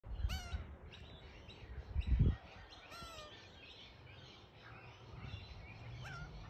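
A young magpie gives two nasal, whining calls that slur downward, about three seconds apart, over steady low rumbling noise and a brief thump.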